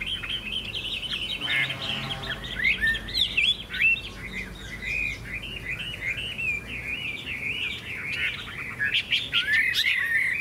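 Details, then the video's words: Contest song (hót đấu) from a bright golden hwamei with a big tail and wing display; a long, unbroken rush of wavering whistles and warbles, with a brief low rattling buzz early on and shrill high notes late. "Họa mi hót đấu"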